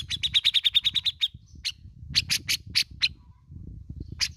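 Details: Grey-cheeked bulbul in lively song, used to prompt other birds to sing, giving a fast run of about a dozen sharp, bright chirps, then louder separated notes, over low rumbling background noise.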